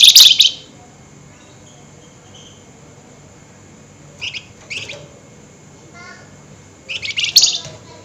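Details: Flameback in an excited state calling at night with nyerecet rattles: a strong buzzy burst at the start, long silence, a few short chips, then another loud rattle near the end.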